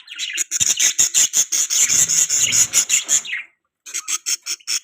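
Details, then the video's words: Budgerigars chirping loudly in a fast regular series of harsh buzzy notes, about two to three a second, broken by a short silence before the chirps resume. "Beautiful Budgies Parrots Chirping Sounds | Budgie Beautiful Voice"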